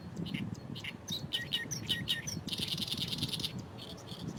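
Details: Harsh, chattering song of an Oriental reed warbler in reeds by the Fukuoka Airport runway, Japan: separate squeaky notes speed up into a dense, grating rattle, then clipped phrases resume, over low rumble.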